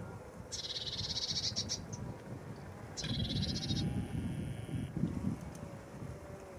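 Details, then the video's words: Two quick, dry, even-pitched rattles from a lesser whitethroat, roughly a second each and a second apart, over a low rumbling background. "Lesser whitethroat"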